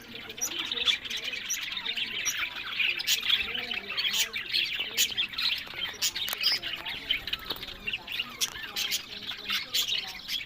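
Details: Captive breeding budgerigars in a steady chorus of overlapping high chirps and short warbles, thick chatter throughout with brief louder squeaks.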